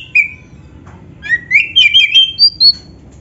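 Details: Oriental magpie-robin of the black-breasted form, loud continuous singer with mimicked fill-ins, meant to get other magpie-robins singing: a clear whistle, then a burst of fast chattering notes and sweet slurred whistles ending on two high pure notes.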